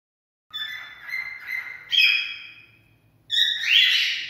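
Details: Cockatiel singing, sound used to stimulate mating: a series of clear whistled notes with harmonics, rising to a brighter, higher phrase, then a harsher, broader burst after a short pause.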